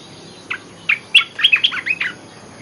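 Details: Olive-winged bulbul lure song: a cheerful chattering phrase of around nine fast, liquid notes, building in loudness then tailing off, with light background hiss.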